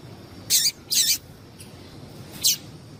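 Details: Yellow-bellied seedeater female call to excite males: two quick, harsh, high chips in succession, then a third after a pause of about a second and a half, over low steady noise.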